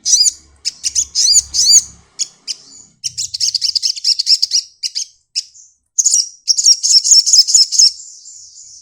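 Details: Sunbird in 'nyepion' song, spreading its wings as it sings: dense, scratchy chatter of piercing high notes in rapid bursts, some arched and ringing, with a faint low hum early on.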